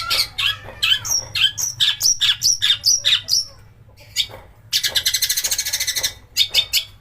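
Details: Long-tailed shrike lure song meant to stir other shrikes into singing, with harsh bursts: quick whistled upslurred notes about three per second, a brief pause, then a dense rattling buzz and sharp chips.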